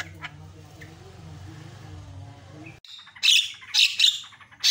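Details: Javan myna on a training recording for other mynas: low rumbling background noise gives way to loud, harsh, grating bursts repeated about every half second.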